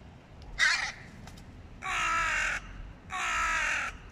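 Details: Hooded crows, two males from neighbouring clans fighting over meat as the young feed; three hoarse, drawn-out caws, the first short, the next two longer at roughly even spacing, with faint clicks between.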